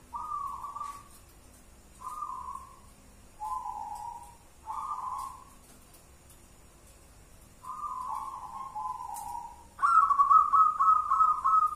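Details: Local wild zebra dove giving the one-and-a-half engkel song pattern: short soft coos about every one to two seconds, then a longer coo that falls slightly, and finally a loud, higher, pulsing trilled coo. Background is quiet.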